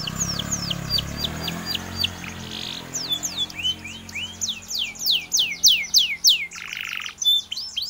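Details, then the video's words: Canary used as tutor song for white-eyes, singing a long varied phrase of sharp descending whistles and chirps in quick series, with short buzzy rasps, and a low rumble at the start. "Cenary Gacor materi Cipar bagus buat masteran pleci"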